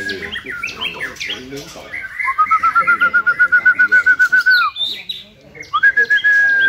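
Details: White-rumped shama singing, a bird being chosen for a singing competition: varied chirps, then a fast run of about twenty clear, evenly repeated whistled notes on one pitch, followed by a sustained whistle, with low voices underneath.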